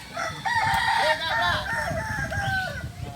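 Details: Kokok Balenggek rooster, a native Solok breed from West Sumatra, crowing at a practice session: a long crow broken into a chain of short stepped notes at slightly shifting pitch, with other fowl and low rumble behind.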